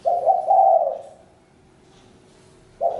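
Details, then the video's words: Spotted dove uttering a quick run of burry coos that merge into one phrase, followed by quiet and the onset of the next coo. "Chim cu gáy-Đam mê tiếng chim cu"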